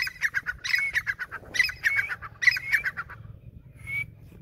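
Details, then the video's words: Grey francolin calling in three quick bursts of harsh, ringing notes repeated rapidly, each burst slightly rising, followed by a short pause and a single thin upward-sliding whistle near the end, over a low steady hum. "Grey francolin teetar voice"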